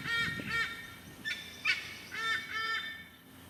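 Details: In a nature park in Singapore, White-bellied Sea Eagles give a raucous chorus of loud, goose-like honking notes, about six over three seconds, in short arched bursts with a rough, nasal ring.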